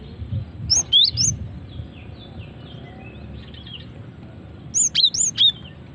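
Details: Female cinereous tit, a real recording used as a lure to draw out singing: two short clusters of three or four sharp rising chirps several seconds apart, with a quiet low background hum.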